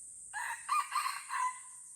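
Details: Wild red junglefowl crowing in the Lamteuba forest, Aceh, during a fight. A single crow lasting just over a second, with choppy raspy segments and a drawn-out final note. A constant shrill insect drone runs behind it.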